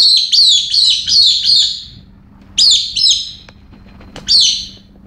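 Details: Pet female galah in a sudden, unusual fit of excited, crazy behaviour among other birds: a quick run of five harsh, descending screeches, then a pause and three more separated screeches, with a low steady hum behind.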